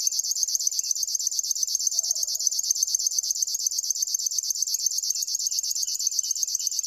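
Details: River warbler delivering a steady, rapid stream of high buzzy pulses, metronome-regular from start to finish, with a soft lower note briefly around the middle.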